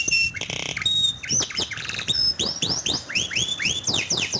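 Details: Canary song used to stimulate a silent canary to sing: buzzy rolls and short whistles give way to a series of repeated arched, rising-falling whistled notes.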